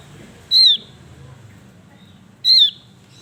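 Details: Male Javan grey-throated white-eye in active singing: a sharp, high, downslurred whistle given twice, two seconds apart, over a quiet background.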